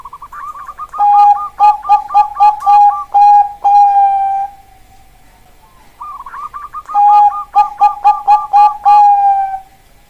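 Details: Bangkok perkutut (zebra dove) song in two bouts: each opens with a quick wavering trill, then a chain of short staccato coos and a long sustained final note, with a quiet pause between bouts.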